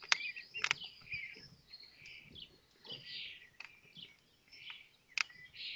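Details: Common kestrel nest at Théding, France, 19 May 2024, with chicks fed as the fifth egg hatches; scattered high rasping calls and loud clicks, irregular, with soft background rustle.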